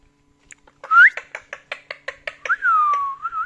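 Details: Pet talking parrot, a male, giving a rapid series of about ten short clipped chirps, then a long pure whistle that drops and levels off before a slight rise at the end, indoors.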